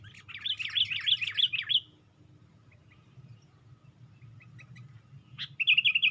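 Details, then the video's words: Sooty-headed bulbul in a lure recording, wings raised on a branch: a rapid bubbling burst of chirps lasting almost two seconds, a few faint scattered ticks, then a fresh loud, quick chattering phrase. "Pikat Burung Kutilang"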